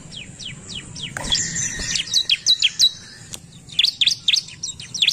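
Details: Responding to a lure recording, an agitated Bar-winged prinia gives high downslurred chirps, then a louder burst of sharp notes; a brief knock and steady tone intrude near the middle.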